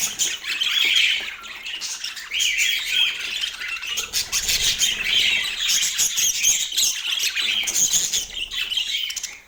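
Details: Morning feeding of pet parakeets in autumn, with loud raspy squawks and chirps rising in bursts, a short lull near two seconds, then renewed busy chatter.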